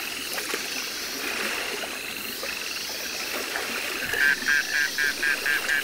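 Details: Captive Himalayan monal (Lophophorus impejanus) at the Ménagerie du Jardin des Plantes, Paris, December 2014, gives a quick run of about seven short, slightly warbled whistled notes, roughly four a second, over a steady background hiss.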